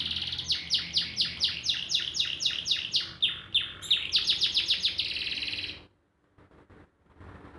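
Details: Canary singing energetically: fast rolling series of repeated high chirping notes, about four per second, before breaking off into quiet with soft hum.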